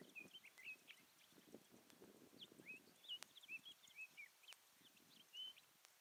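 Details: Continuous song of a sage thrasher in high desert sagebrush by Mono Lake, a run of clear, fast, twisting whistled phrases, upslurs and downslurs tumbling one after another, with quiet rustles and occasional sharp clicks nearby.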